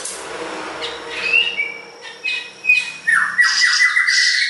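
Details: Siri-siri besar singing vigorously on a master recording for training songbirds: a thin whistled note and scattered chirps, then a quick series of rising slurred notes at the end.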